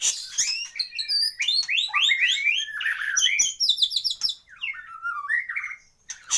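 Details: Caged white-rumped shama with a full repertoire sings fast high-pitched phrases, quick upslurred notes and a brief chattering trill, then lower slurred whistles.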